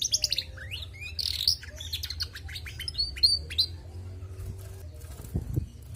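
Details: Lively female canary delivering a string of quick chirps and short downward-sweeping whistles, fading after the fourth second into quiet hum broken by a couple of soft knocks.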